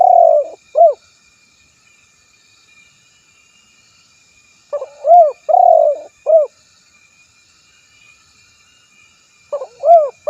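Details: Spotted dove (tekukur) cooing: phrases of a short note, a rising-falling coo, a long level coo and a final arched coo, repeated about every five seconds, with a faint steady hum.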